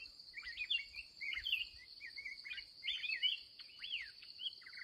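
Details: Wild, aggressive red-whiskered bulbul met during the last trapping session of the day: short whistled, warbling phrases with rising and falling slurred notes, over a steady high insect drone.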